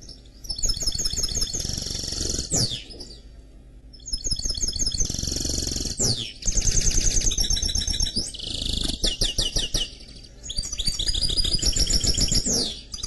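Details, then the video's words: Mule from canary and goldfinch delivering bursts of song: fast metallic twitters, rolling trills and downward sweeps in phrases of two to three seconds separated by short pauses, low hum beneath. "Chant Mulet Canari X Chardonneret"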